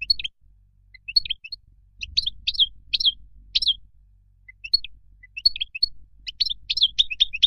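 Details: European goldfinch wild song for teaching young: scattered high chirps and short twittered notes spaced irregularly, softer and more broken than a full phrase.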